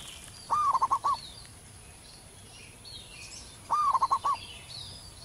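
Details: A loud local zebra dove singing in the wild. Two crisp phrases, each a rising note followed by a tight run of pulsed coos, come about three seconds apart against faint background bird calls.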